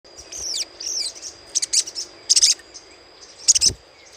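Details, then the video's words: Little spiderhunter chattering, played as a lure: a few thin, high descending whistled strokes, then short bursts of sharp, high chattering notes in clusters, separated by brief pauses. "PANCINGAN SUARA CRECETAN SOGOK ONTONG"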